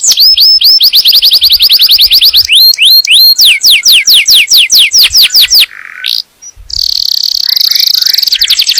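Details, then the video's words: Yellow canary song meant to ready the female for breeding and tutor chicks, fast repeated high sweeps and downward slurred notes, then a brief break with a harsh buzzy tone before a dense rapid trill. "تغريد كناري أصفر لتجهيز الأنثى وتعليم الفراخ"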